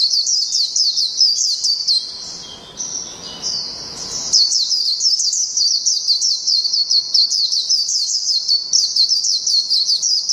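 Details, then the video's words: Japanese white-eye in long "ngalas" song: fast, high, chattering twitter of quick rising and falling notes. A softer, quieter stretch near the middle gives way to the full, dense warble resuming to the end. "PLECI NGALAS JAPAN NGALAS PANJANG"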